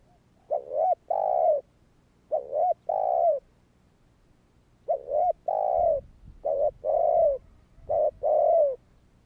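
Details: Provoking call of a spotted dove meant to set off other doves: low three-note coo phrases, quick rising notes then a longer hollow one, given in bursts with a pause between groups.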